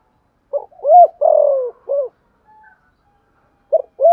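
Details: Spotted dove in the Thổ Sấm cooing style, urgent calling coos used as a lure to stir up other doves: a hollow short coo, a drawn-out falling coo, then a clipped note, a brief pause and two more quick coos.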